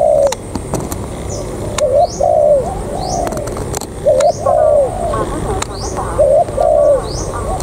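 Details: Spotted dove kept as a decoy bird: short hoarse cooing phrases in groups of two or three, repeated every couple of seconds, amid sharp clicks and knocks, higher chirps from other birds and background music.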